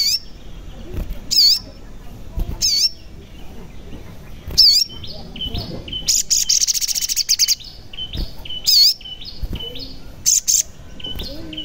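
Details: Crimson sunbird (sogon) song played as a lure to make lazy or silent sogon birds sing and to draw them closer. Stepped high whistled notes repeat steadily, broken by loud harsh buzzy bursts and a rapid rattling trill.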